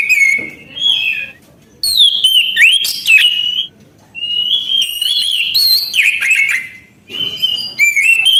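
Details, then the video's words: An Orange-headed thrush sings vigorously in long, rich phrases. Sustained whistled notes mix with rapid warbled trills and downward-slurred notes, with short pauses between phrases. "Anis kembang gacor anti macet bunyi"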